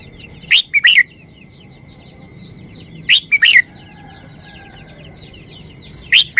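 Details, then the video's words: Short song of a red-whiskered bulbul: three crisp phrases spaced nearly three seconds apart. Each opens with an upward-sweeping whistle and ends in quick bubbling notes, over a busy chorus of faint twittering birds and a steady thin whine. "นกกรงหัวจุก 362 มาเฮง เพลงสั้น"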